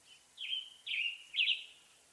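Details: Western tanager (Piranga ludoviciana) song: three quick, hoarse, burry phrases in a row, each about half a second long, robin-like but rougher, with faint background hiss.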